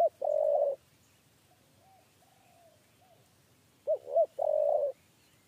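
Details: A spotted dove's 'kuk 3' coo near a trap cage. A long steady note is followed by faint soft echo-like notes, then a fresh phrase of two arched notes and a sustained coo.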